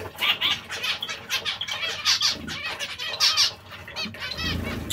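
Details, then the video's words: Zebra finch breeding pairs calling together: a dense chatter of short nasal, buzzy notes, overlapping and irregular, with a few louder trumpet-like beeps standing out and a soft low rumble beneath. "Diamante mandarino/coppie riproduttive"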